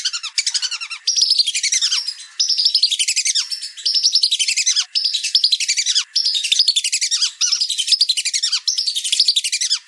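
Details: Many whistling ducks calling together, a steady wall of overlapping shrill whistles and sliding notes, broken into bursts every second or two.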